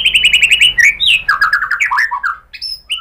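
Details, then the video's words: White-rumped shama singing as a lure to provoke rival birds, with rapid repeated chattering notes, then a descending run of slurred whistles and a few bright high notes. "PANCINGAN MURAI ¦ SHAMA BIRD"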